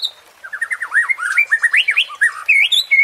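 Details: White-rumped shama song as a provoking sound: a quick string of about twenty rising and falling whistled notes, varied and lively, with one short pause near the end.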